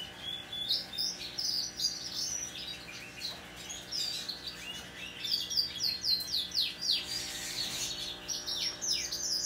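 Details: Recorded 26 November 2021, a hand-tame Pacific parrotlet delivers bursts of fast, piercing chirps and squeaky twitters, clustered in lively runs separated by brief pauses, over a faint constant hum.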